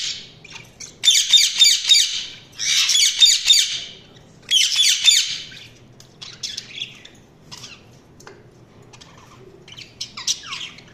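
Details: Budgies chirping in three loud bursts of rapid, buzzy, high warbled notes, each lasting over a second, followed by softer scattered chirps and a few rising squeaks.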